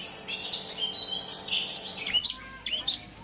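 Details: Long-tailed shrike song used to coax silent or stressed shrikes into singing. A thin warbled chatter is followed by a few bright, sharply slurred whistles.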